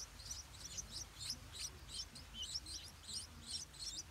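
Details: Stripe-throated bulbul at a nest with hungry hatchlings, parents defending it: rapid series of thin, high chirps repeated about twice a second throughout, with a faint low murmur beneath.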